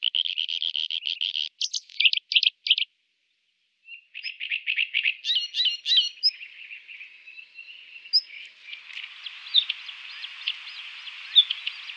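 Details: Bluethroat, Moscow and Ryazan region, Russia, with male song and female alarm noted: bursts of rapid high buzzy rattling notes, a pause, more varied chirps and twangs, then a softer hissing trill with faint background chirps.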